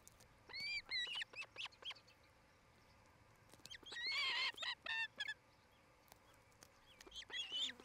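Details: Early-evening nest camera in Charlo, Montana, 8 July 2018: an osprey calls in irregular groups of high whistled chirps, with a louder, harsher cluster midway and a few rising notes at the end.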